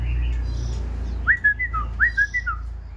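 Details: Black-throated laughingthrush in a cage giving two matching whistled phrases, each a sharp upslur followed by level and falling notes, after a stretch of loud low droning hum.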